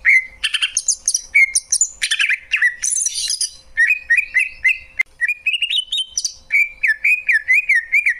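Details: Varied, jumbled song from a Greater green leafbird, mixing harsh scratchy bursts, high squeaks and wavering whistles, then settling into looping up-and-down whistled notes.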